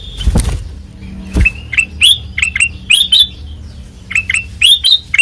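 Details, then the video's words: Kutilang emas with white eyes in ngeplong song. Two loud clicks open, then quick runs of bright whistled notes, each sweeping up and falling back, given in groups of two or three. "Suara Asli Ngeplong Kutilang Emas Mata Putih Gacor Dor"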